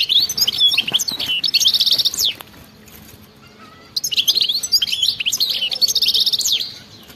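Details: Goldfinch singing in the khalawi wild style with bitbita: two dense phrases of fast tinkling chirps and buzzy trills around a quiet gap of over a second.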